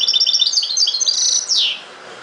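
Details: Rapid liquid twitter of a European goldfinch, dense high notes tumbling one after another and ending in a downward-sweeping note before falling quiet.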